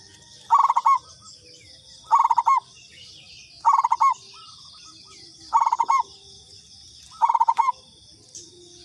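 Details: Local Indonesian zebra dove (perkutut lokal), used as a lure call: five stuttering cooing phrases, each a quick run of soft notes ending in a longer held coo, repeated roughly every one and a half seconds over a steady high insect drone.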